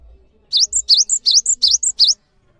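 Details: Cinereous tit song meant for training other songbirds: a brisk series of bright V-shaped whistles, each answered by a short high pip, repeated about five times, with a soft low rumble before it.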